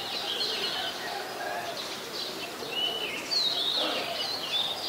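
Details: Black-collared starling in Ubon Ratchathani, Thailand, on 12 July 2020, gives loud, harsh whistled calls and squeaky chatter, some notes sliding up and down, over a steady background hiss.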